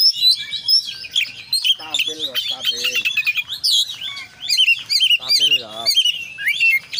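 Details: Oriental magpie-robin in 'gacor konslet' song with rich 'isian' fills. High twittering chirps and whistles are mixed with lower harsh, stuttering rasps in rapid, varied phrases.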